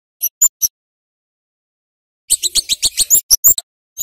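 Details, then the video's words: High, piercing flowerpecker chirps, used as a lure to get young birds singing: three quick ticks, a two-second silence, then a fast chattering run of about a dozen sharp notes. "Burung CABEAN / KEMADE Gacor NGEPLONG | PANCINGAN Cit KERES Bakalan Supaya Gak Bisu"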